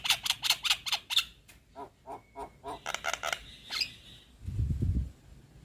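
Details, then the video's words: Young Javan myna singing energetically, a sequence of rapid harsh broadband rasping notes, about five per second, then softer pulsed chatters and a brief thin whistle, ending with a low thumping noise. "Kicauan Jalak Kebo Muda Gacor Mantap"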